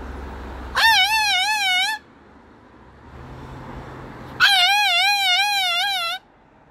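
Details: Moluccan cockatoo kept as a pet, raising an alarm at a magpie that landed on the house roof: two loud, wavering, wailing screams, each one to two seconds long, with a quiet gap between them.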